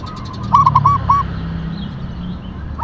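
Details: Perkutut, a local zebra dove of the tumbak cucukan katuranggan kind, gives one phrase of four or five cooing notes, the last drawn out, over a steady low hum.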